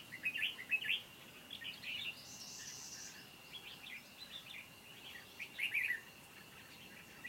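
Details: Red-whiskered bulbul kept as a caged decoy at a trapping site on 29 July 2020, singing competitively to lure wild birds in; faint, quick chirpy warbled phrases in short bursts at the start and near the end, a hissy higher sound midway, steady background hum.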